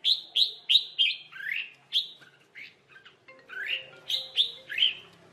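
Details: Red-whiskered bulbul singing in a fighting duel near a trap: rapid series of bright whistled notes, several slurred downward swoops, delivered in quick bursts with short pauses between.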